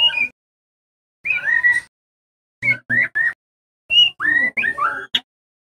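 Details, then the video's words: White-rumped shama, trotol type, training song for captive birds: clear short whistled phrases, some rising and some falling, delivered in spaced groups with silent gaps between. "SUARA PANCINGAN MURAI BATU TROTOL AGAR CEPAT BELAJAR BUNYI NGEPLONG & EMOSI BONGKAR ISIAN"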